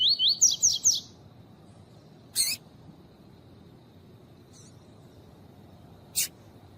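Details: Lined seedeater (coleiro tui tui) song with female calls, used to stimulate captive males: a quick run of four high, looping whistled notes, then two sharp, high single calls spaced a few seconds apart over a quiet background.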